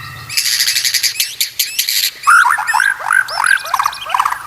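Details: White-rumped shama training song meant to make other shamas sing: a harsh rattling, buzzy passage of quick repeated notes, then a series of loud upslurred whistles with chips in between.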